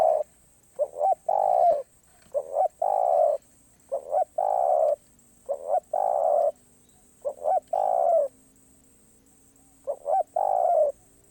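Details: Spotted dove giving its karom pa roi song, noted as off cue. About six phrases repeat roughly every two seconds, each one or two short soft notes and then a long steady coo, against a quiet background.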